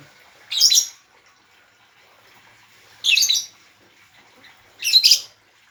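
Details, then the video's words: Lovebird uttering three piercing, raspy chirps about two seconds apart over a faint background hum. "burung lovebird"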